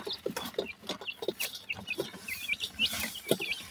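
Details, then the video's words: Young francolin (teetar) chicks give short, high peeping chirps, about two per second, over a steady bed of dry clicking and tapping. "teetar bird chicks ki sound"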